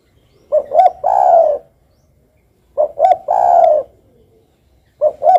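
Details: Spotted dove in full voice, giving its three-part coo about every two and a quarter seconds: two quick soft notes, then a drawn-out burry coo. A third phrase begins at the end.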